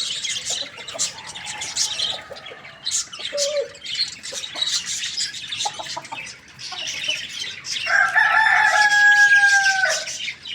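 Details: Dense chirping and twittering of many small birds fills the morning, then near the end a rooster gives one loud, sustained, level crow lasting about two seconds.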